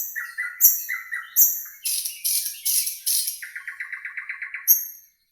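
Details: Nightingale singing in a green forest: high thin whistles and mid-pitched warbled notes, then loud harsh buzzy strokes, and a rapid rattle of evenly repeated notes before a last high whistle.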